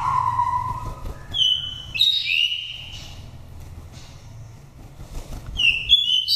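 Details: Five-season oriental magpie-robin from a Dak Lak nest, singing in wild style to stimulate or lure birds. A lower whistle opens, then high clear whistled notes leap and slide, pause, and return as a bright flourish at the end.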